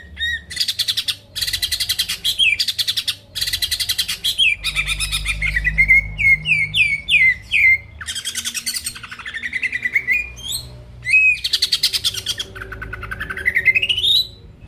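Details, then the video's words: Greater green leafbird in full, lively song, played to provoke rival birds into singing: dense rapid buzzy chatter bursts alternating with sharp rising and falling whistled notes, a clear rising sweep near the end, faint low hum underneath. "PANCINGAN CUCAK IJO GACOR BUKA PARUH BIKIN LAWAN CEPAT ON LANGSUNG EMOSI DENGAR SUARA INI"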